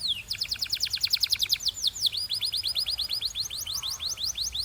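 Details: Canary training song: a fast, loud trill of sharp chirps, a brief downward glide, then a second quick trill of rising notes at a slightly lower pitch.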